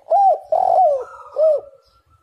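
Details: A Spotted dove's three-part coo, used to prompt other doves into calling: a rounded first note, a longer rough middle coo, then a final arched note fading into a soft hum.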